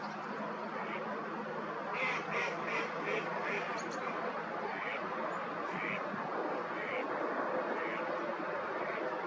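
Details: Hooded crow (Corvus cornix) on the bank of the Nioman river, Hrodna, western Belarus, 12 October 2021, imitating an oystercatcher: a quick run of sharp, piping notes, then more spaced repeats, over a steady background rush.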